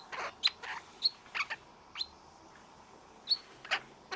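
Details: Male Australian king parrot visiting a garden, showing off, dancing and chatting happily: a loose series of sharp dry clicks and short high chirps, about ten in four seconds at irregular intervals, over a quiet background.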